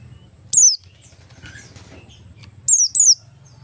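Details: Oriental white-eye of the Buxtoni type in ngalas style, used as a lure so other white-eyes sing quickly: three high, thin whistles sliding downward, one alone then a close pair, over a faint low hum.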